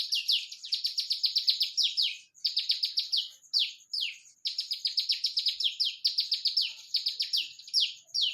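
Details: Olive-backed tailorbird delivering tight 'nembak rapat' song: clipped, shrill notes sliding downward, fired in quick bursts separated by brief gaps, with no other sound.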